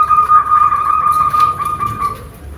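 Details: Zebra dove song meant to rouse other doves into singing: one loud, even, rapid trill at a single mid pitch, lasting about two seconds before fading, over a low background rumble.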